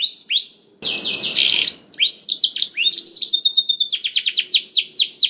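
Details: Canary song played to coax other canaries into singing: high rising and falling whistles interrupted by a harsh buzzy section, then a rapid rattling trill and clear slurred notes.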